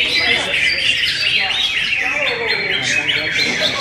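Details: Greater green leafbird song with a varied, fast medley of sharp chirps, squawky notes and brief rising whistles, over faint background talk.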